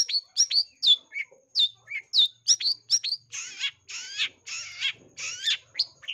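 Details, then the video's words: Long-tailed shrike in lure song, strongly in breeding condition: rapid high downslurred whistles and chips, then a run of broad harsh buzzy rasps repeated about twice a second. ""CENDET GACOR NARUNG" // Cendet paling gacor full isian // Suara pikat Cendet"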